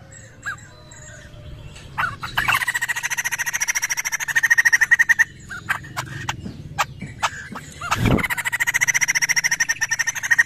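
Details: Lure recording of a laughingthrush: bursts of rapid buzzy chattering notes, several per second, broken by sharp clicks and knocks, with a loud thump near the eighth second before the chatter resumes.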